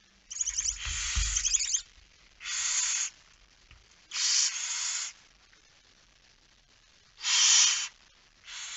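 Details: Barn owl at the nest during a night feeding, 10 September 2019 at 22:45: long rasping hisses of about a second, four or five bursts with irregular pauses, and a low thump or rustle near the start.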